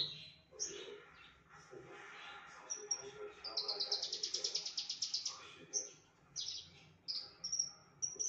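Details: Javan bush lark producing varied imitations of other species: scattered thin high whistles, then a dense buzzy rattling run of quick pulses lasting about two seconds, followed by separate sharp whistled notes.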